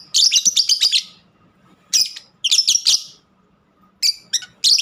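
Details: Lovebird kept at home producing a fast stream of shrill, grating chatter, then several shorter clusters of squeaky notes separated by brief silences, over faint low hum.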